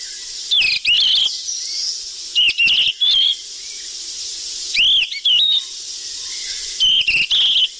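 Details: Noisy lure call of the sikatan emas flycatcher: loud clusters of piercing chirps and quick upslurred whistles, several notes per burst, returning every one to two seconds against constant background hiss.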